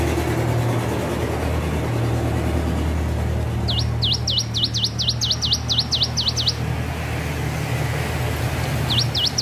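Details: Hill prinia learning to sing: a fast run of about ten V-shaped whistled notes, dipping and rising, then a pause and three more, over a steady low engine hum.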